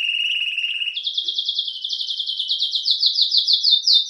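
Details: Canário-belga, the domestic canary, delivering a steady trilled tour, then switching to a higher series of fast, evenly pulsed notes that swell slightly toward the end.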